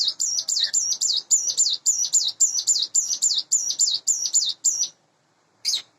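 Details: Hand-reared caged Sunda bush warbler, about eight months old and in breeding condition, singing in the morning: a fast series of high, zigzagging whistled notes repeated about twice per second for five seconds, then a pause and one more note.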